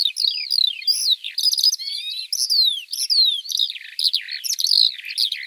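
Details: Eurasian Skylark (Alauda arvensis) song of high chirps mixed with thin descending whistled slurs and short trills, run together in a lively, continuous flow.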